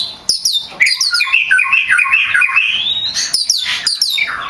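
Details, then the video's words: Oriental magpie-robin (kacer), champion gacor songster used to train other birds: a continuous rich stream of clear whistles, quick trills and sweeping rising notes, loud and varied, with sharp high squeaks near the end. "Suara burung kacer gacor juara"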